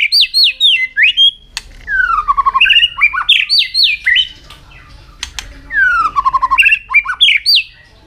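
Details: White-rumped shama, a fire shama in competition form, singing and tail-flicking nonstop: loud varied phrases of clear whistles, sweeping downslurred notes and quick chirp runs, separated by short pauses, with a few sharp clicks.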